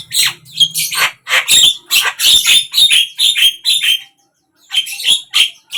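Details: Javan myna (jalak kebo) kept as a hobby songbird, singing a loud run of harsh squawks and chattering notes with whistled accents, in bursts with a short pause near the end.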